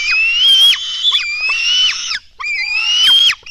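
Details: Black stork nestlings begging at the nest during a feeding at dawn, 24 June 2016: three long, hoarse, screaming wheezes, each sliding upward and ending in a sharp drop, separated by brief pauses.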